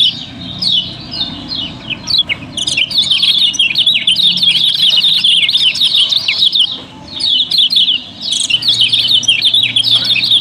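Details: Lombok yellow-bellied prinia singing nonstop as a lure for other birds: long, dense stream of high, twittering, twisting notes, over three per second, with a brief lull before a fresh burst.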